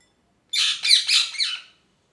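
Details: One loud, grating parrot squawk of a little over a second, rough and noisy with three or four pulsing surges, given in a happy mood against silence.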